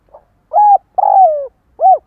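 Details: Decoy spotted dove giving its lure call to draw in wild doves: a soft lead-in note, a level coo, a long falling coo, then a short arched coo, clear against silence.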